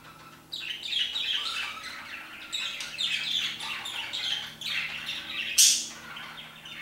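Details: Parakeets singing around 2pm begin after a quiet half second, then keep up a warbling, chirpy chatter of rising and falling notes, capped by one sharp loud squawk near the end.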